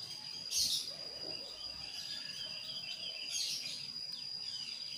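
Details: Javan grey-throated white-eye calling a rival with a very clear voice. Two short, bright high chirpy bursts come about three seconds apart over a steady high whining tone and soft background hiss.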